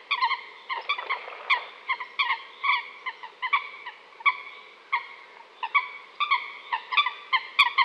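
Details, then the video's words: Busy chorus of coot calls, clipped honking notes stacked in harmonics, repeated in irregular runs with little pause between them. "New coot best sound"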